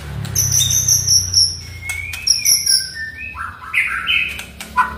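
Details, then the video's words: Oriental magpie-robin singing to prompt another bird: high thin whistles, a smooth rising slur, then lower buzzy and fluty notes in varied phrases, with a soft low hum. "MURAI DIRUMAH DIEM,//, COBA DENGARKAN KICAUAN INI"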